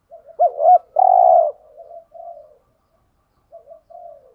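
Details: Lure cooing of spotted doves, male and female, to attract wild birds; soft opening notes, a wavering double coo, a long loud steady coo, then gentle low trailing coos and a quiet pause.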